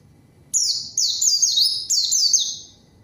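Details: White-eye song as a lure to call a rival and get silent birds singing: a single clear phrase of five or six high, sweeping falling notes, smooth and rapid, in a quiet setting.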